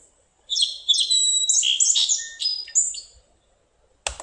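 Song Sparrow song: a few emphatic opening notes, then a jumble of buzzes and trills trailing off, lasting under three seconds. A click follows at the end.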